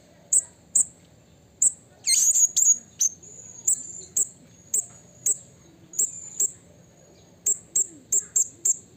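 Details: Calling to a rival in the wild, a blue-crowned hanging parrot utters sharp, very high single chips at fairly regular intervals, with a short buzzy burst early on and quicker chips toward the end.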